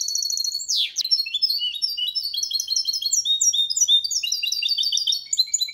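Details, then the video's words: Goldfinch-canary hybrid singing Malaga copy song to encourage other males to sing: opens with a high trill and a sharp sweeping noise, then continuous chains of quick, high, repeated chirping notes. "Mixto jilguero cantando copia malaga _ Hybrid of goldfinch singing for training songs"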